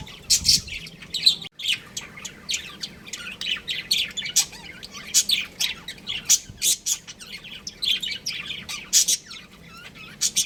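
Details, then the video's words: A budgerigar breeding pair kept at home chirping and squawking continuously: rapid, clicky high notes and harsher squawks in a long, busy run of chatter. "Cute Budgies Chirping Sounds | Budgies Breeding Pair"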